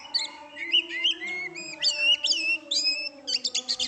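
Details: Oriental magpie-robin in full song, a rapid varied run of high whistled and chirping phrases with quick slurred notes, some buzzy trills near the end, over a steady low hum.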